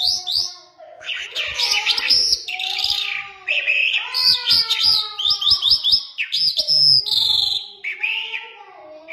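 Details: Iranian jal, a Mashadi lark, delivering a varied warbling song of jumbled whistles, slurred chirps and short rapid trills, with brief pauses between phrases.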